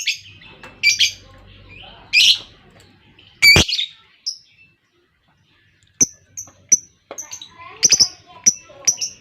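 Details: Lovebird chattering on a lure track meant to make other lovebirds sing: harsh buzzy squawks at first, a brief pause, then sharp high chirps repeated in quickening bursts.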